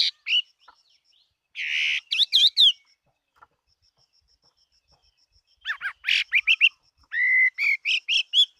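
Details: Chinese hwamei in competition singing: a harsh buzzy note and sharp whistles, a pause, then a lively run of varied repeated whistled phrases.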